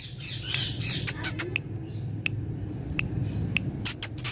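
A pet ringneck parakeet gives short, sharp squawks and clicks, about one every half second, over a steady low indoor hum.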